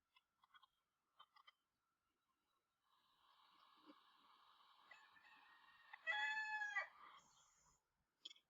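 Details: Rooster crow played during a preschool listening lesson: a long, drawn-out harmonic crow that swells steadily and peaks loudly near its end, preceded by a few faint short clicks and followed by a brief knock.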